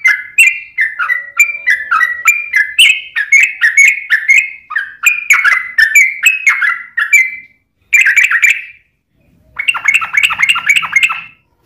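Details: Yellow-vented bulbul in a long, continuous stretch of lively song used to provoke other bulbuls to respond: steady rolling, bubbling phrases of rising and falling notes, then two shorter bursts after a gap.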